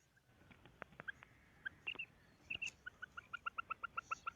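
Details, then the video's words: Female quail calling, a few scattered notes followed by a fast run of short, clipped, evenly spaced piping notes, roughly six or seven per second, over a quiet background. "Female Quail Calling karkari Maadi Ki Awaz"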